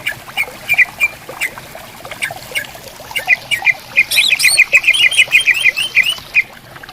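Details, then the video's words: Greater green leafbirds answering one another in bamboo woodland beside a clear flowing river: scattered chip notes, then a fast rattling burst of bright repeated notes topped by thin high twittering. "Suara Burung Cucak Ijo Gacor Di Hutan Bambu Bersautan"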